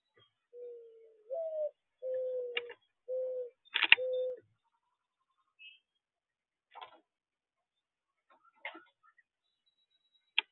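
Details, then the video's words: Doves cooing: four low, mellow, steady coo notes, the second slightly higher and rising, over about four seconds, followed by scattered clicks and brief faint chirps. "Doves; Coo"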